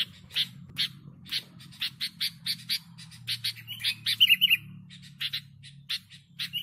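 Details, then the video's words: Sooty-headed bulbul singing vigorously, used to lure birds: short bright chirped notes, some rising or falling, repeated in quick irregular bursts, with a brief trilled flourish near the end over a faint low hum. "Suara Burung Kutilang Gacor Untuk Pikat"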